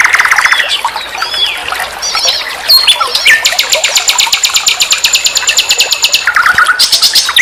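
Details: Master song of a common nightingale for teaching songbirds. A stuttering trill and twisting notes lead into a long, even, machine-gun rattle lasting about three seconds, then lower repeated notes and another high buzz.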